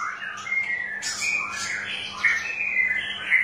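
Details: Lure song of a straw-headed bulbul for stimulating birds that will not sing: a continuous, slightly buzzy warble of sliding notes that sweep up and down, with brief brighter bursts mid-phrase.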